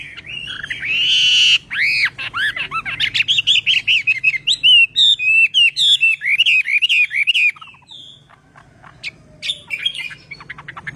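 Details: Chinese hwamei in song training, delivering a long rich sequence of looping whistles and quick repeated slurred notes, loud and varied, fading into softer chips near the end over a faint low hum.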